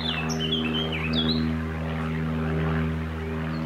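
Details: A Eurasian blackcap sings a quick run of rich, warbling whistled phrases over Cambridge, UK, on 20 June 2020. The steady low drone of a Piper PA-28 light aircraft flying overhead partly masks the song.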